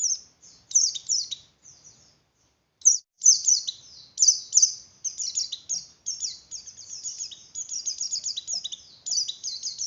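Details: Javan grey-throated white-eye in breeding mood singing to stimulate other white-eyes: a sparse start of short high chirps, then a long, unbroken stream of rapid, sharp descending notes filling the second half.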